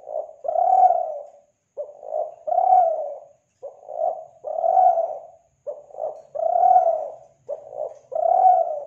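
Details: Kelantan spotted dove coo used to lure doves: a soft, low phrase repeats about every two seconds, double short notes then a longer swelling coo, five phrases in steady rhythm.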